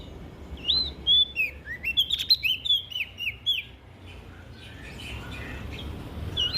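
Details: Olive-backed tailorbird from NTB singing to stimulate other birds: a brisk phrase of high, looping whistles and chips for about three seconds, then quiet background hiss with a faint note at the end.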